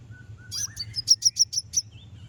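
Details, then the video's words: Konin song aimed at rival birds: a faint low whistle leads into a fast, evenly spaced run of about eight shrill, high chips, then a soft trailing whistle. "Konin bunyi manggil lawan"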